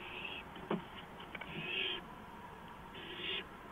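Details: Porch owl recorded at 2:05 AM on 5 April 2015; noisy rasping hisses, one longer and louder, separated by a knock and faint clicks, over a low hum.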